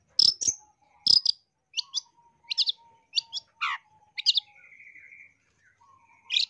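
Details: Long-tailed shrike song used to train caged birds and to lure: sharp high notes at first, then a burst that slides down from high to low, then a drawn-out level buzzy note. A faint steady tone hums beneath.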